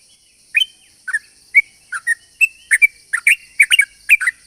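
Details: Long rapid song of a sooty-headed bulbul, used as a lure: after a short silence, slurred chirps and bright whistled notes, speeding into clustered doublets toward the end, over a thin continuous high tone.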